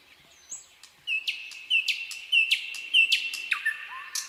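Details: Nightingale song made of a brief high whistle followed by a steady series of about a dozen crisp, down-slurred notes, roughly two each second, closing with a soft rising whistle.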